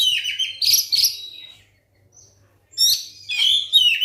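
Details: Lure song of a white-rumped shama meant to get other shamas singing: two bursts of rich, rapid whistled and chattering notes, the first fading out, then about a second of near silence before a second energetic burst.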